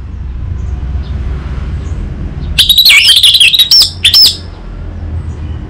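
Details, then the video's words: Orange-headed thrush song used as a lure and master recording for training an untrained young bird: a loud burst of rapid, twisting whistled and chattering notes lasting under two seconds after quiet hum. "Pancingan dan Masteran Burung ANIS MERAH Bahan"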